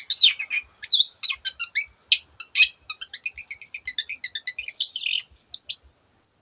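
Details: Long-tailed shrike song rich in borrowed voices of other birds: a rapid series of clipped high notes builds into a ticking run, then ends with several thin, sharp whistled slurs spaced apart.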